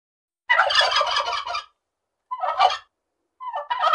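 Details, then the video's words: Turkey gobbles in three rapid, rattling bursts, the first about a second long and the next two shorter, loud and throaty with gaps between. "What does a Turkey sound like?"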